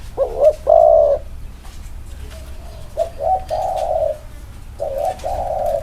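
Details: Spotted doves compared side by side in a cooing match. Low, smooth coos follow short rising lead-in notes, and one bird answers another. The sustained mellow tones sit over a quiet, steady background hum.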